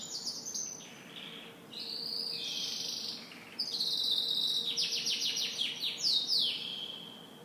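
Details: Canary singing in the morning: long varied song of sustained whistled tones, sliding notes and rapid trills, with fast repeated notes around the middle, over faint steady background hiss.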